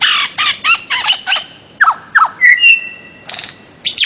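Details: Bird-of-paradise giving loud, harsh squawking notes in quick succession, followed by sharp slurred whistles and a brief buzzy rattle.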